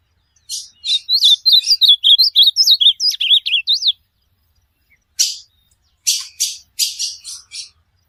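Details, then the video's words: Ultramarine grosbeak singing for pet-bird training, opening with a fast chain of wavering whistles that swoop up and down, followed after a gap by several coarse, buzzy notes. "AZULAO,perfeito áudio para sue pássaro."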